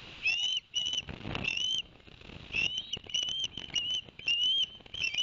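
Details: Ospreys calling at their Barnegat Light, New Jersey nest on 11 September 2021, after the adult male delivered two fish for the young: strings of shrill whistled chirps, steady and slightly rising, with a short lull midway.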